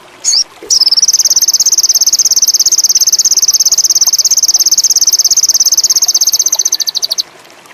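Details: Sogon (indigo) bird in a strong mating urge, singing a long, fast, high buzzy trill of even pulses lasting about six seconds after a short opening note, with faint background hiss.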